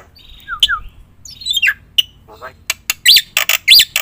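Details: Black-winged myna used as a lure: scattered descending whistles and squeaks at first, building into loud harsh rising squawks near the end.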